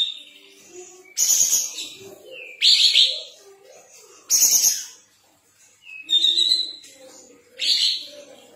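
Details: Sooty-headed bulbul in full, energetic song, tail fanned open, giving five loud, rasping phrases each ending in a bright whistled note, about every one and a half seconds, with soft chatter between them.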